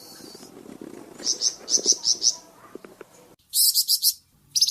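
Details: Varied Flamboyan bird song for training cucak ijo and magpie robin: short runs of high, sharp repeated notes, with soft clicks and low background sounds in the first part.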